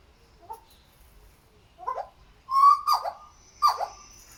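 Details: Raggiana bird-of-paradise displaying at Weltvogelpark Walsrode, a captive bird: loud harsh nasal calls, a few rising squawks building to three strong cries with overtones near the end, quiet background.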